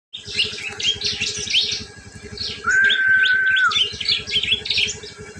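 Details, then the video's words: Prinia giving the ngriwik call, played as a lure to attract prinias: rapid, high, scratchy chirps tumbling over one another, broken near the middle by a steady flat whistle lasting about a second, over a low, fast, regular throbbing pulse. "pancingan suara burung prnjak ngriwik"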